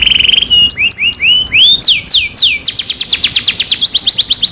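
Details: Varied canary song played to stimulate a quiet canary: a buzzy rattle, upward-slurred whistles, descending sweeping notes, then a fast run of rapid repeated high notes ending in quick rising strokes.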